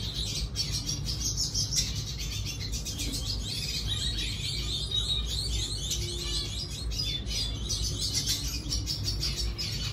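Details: Red siskin singing an unbroken stream of jumbled chirps, scratchy notes and short trills, high and lively, accompanied by continuous low background rumble.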